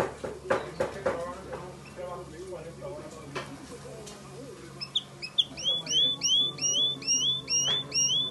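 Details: White Timbrado canary singing a series of sharp, rising whistled notes repeated about twice a second, after a stretch of human speech and knocking sounds.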